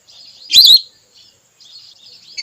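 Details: Single high, wavy whistle of a female whistling duck, used as a hunting lure, followed by soft continuous twittering and a brief closing pip.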